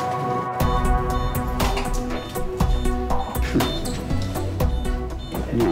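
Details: Loud background music with steady beats and sustained tones, plus faint speech, with no animal sound heard.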